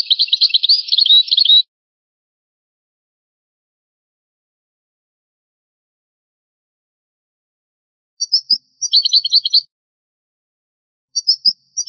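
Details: Old recording of European goldfinch song in its traditional form: a dense twittering burst, a long silence, then crisp paired chips leading into a short rapid trill, and another pair of chips at the end.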